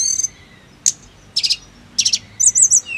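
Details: Snowy-browed flycatcher song for making birds sing: sparse high notes, a single sharp click, then two short trilled bursts and a closing wavering whistle, with quiet gaps between them.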